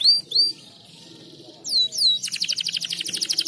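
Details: Canary in breeding condition, song to encourage mating: a few swooping whistled notes, a short pause, more sweeping whistles, then a fast pulsing trill to the end.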